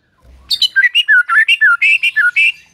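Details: White-rumped shama song used to stimulate a silent bird: a string of loud, clear whistled notes, each note bending up or down, delivered in quick succession with varied pitch.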